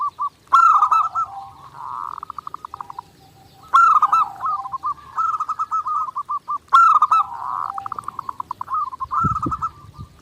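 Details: Zebra dove song from a clear master recording made for daily training: three bursts of rapid pulsed cooing near one pitch, each opening with a sharp bright accent and trailing into stuttering notes, roughly every three seconds.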